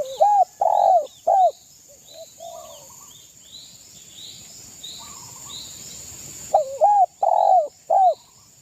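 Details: East Javan zebra dove song used to rile rivals: two bursts of three quick, loud, rounded coos at start and end, with softer notes and a run of high chirps from other birds between, over a steady hiss.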